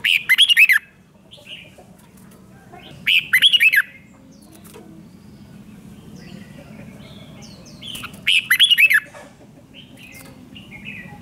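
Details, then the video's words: Red-whiskered bulbul song played to rouse caged birds: three evenly spaced bursts of rapid bubbling whistles, roughly every four seconds, with faint soft chirps in between. "เสียงนกกรงหัวจุก ร้อง ริก เปิดให้นกฟัง ยั่วให้นกคึกจัด"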